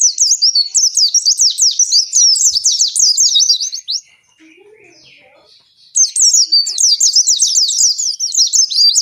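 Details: Oriental white-eye in energetic long 'ngalas' song, aimed at prompting captive white-eyes: a four-second stream of quick, high zigzag whistles, a near-silent gap with faint murmuring, then another equally rapid twittering burst.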